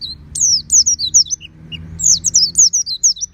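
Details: Oriental white-eye kept at home, practising loud 'ngeplong' song with its beak wide open: shrill, looping high whistles strung in two quick phrases, each note sweeping down and twisting; faint room hum behind.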